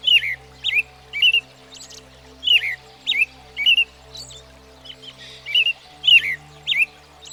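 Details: American Robin, a familiar U.S. backyard bird, singing: rich, slurred phrases that rise and fall, spaced by short gaps and mixed with thin, high squeaky notes. About a dozen phrases are heard over a faint low background hum.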